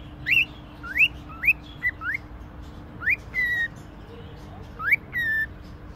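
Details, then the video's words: Cockatiel kept at a pet shop in Konya, Turkey, whistling clear rising slurred notes in quick pairs and groups, some ending in a held flat tone, with pauses between phrases over a faint steady hum. "Konuşan sultan papagani"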